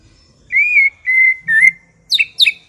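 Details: White-rumped shama sound used as a lure to set off other shamas: three long, steady, clear whistles on one pitch, then two short, sharp, high downward notes.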